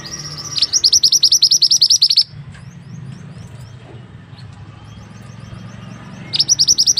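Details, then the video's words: Song of a mantenan bird intended as tutor material for other birds: a steady string of quick, piercing chirps for over a second, a long lull with faint soft notes, then another burst starting. "burung mantenan yang handal untuk masteran"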